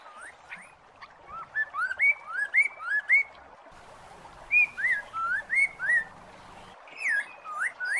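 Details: A masked laughingthrush, its song used to lure a silent bird of its kind back into song, gives a rapid run of loud, rising whistled notes, about two or three each second, with short pauses between bursts and faint background hiss.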